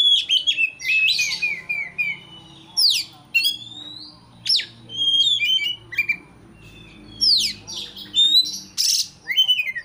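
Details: White-rumped shama song for provoking a rival into calling: crisp, rapid whistled phrases with steep sweeps and trills, in repeated bursts across ten seconds, including one harsh noisy note near the end.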